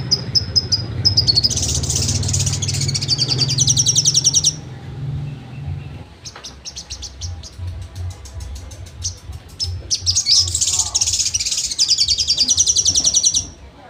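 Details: Sogon in trotol song for songbird training: bursts of rapid, high, buzzy trilling separated by a stretch of quicker loose notes, over a steady low hum.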